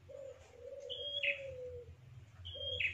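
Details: A prinia (prenjak) lure call used to attract wild birds gives a high, thin whistle followed by a short buzzy burst, repeated about every two and a half seconds over a long, low sustained tone.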